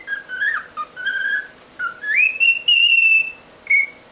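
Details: A pet cockatiel whistles Jingle Bells and the Chocobo theme from Final Fantasy in clear, pure notes, sliding up and holding long phrases.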